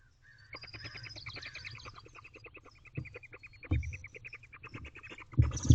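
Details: Barn owlet in a nest box at dawn, 5:42 am on 27 May 2023, giving a happy twittering: a rapid run of short, even chittering notes, about three per second, over low thumps and rustling from the box.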